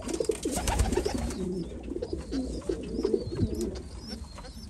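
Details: Several white homing pigeons indoors, giving loud, low, warbling coos one after another almost without pause, a dense burbling chorus, with faint high squeaks over the top.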